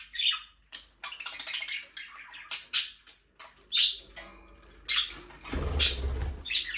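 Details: Budgerigars in a small aviary, flying free, give busy chattering chirps and warbles with sharp high squeaks, in bursts separated by short pauses; a low rumbling thud near the end.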